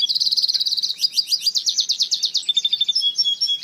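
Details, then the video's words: Hybrid African citril mule in song: rapid high trills and buzzy rattling phrases that run on continuously without a break. "Africa citril mule"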